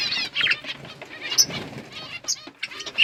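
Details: Budgerigar flock in an outdoor aviary: bursts of bright, warbling chatter, with scattered short squeaky notes above a quieter background.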